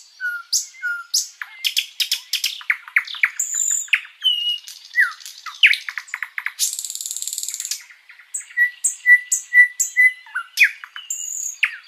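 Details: Flycatcher (sikatan londo) giving long, varied master song for tutoring other birds: quick slurred whistles and sharp clicks, a long harsh buzzy burst midway, then a series of short even whistled notes and chips.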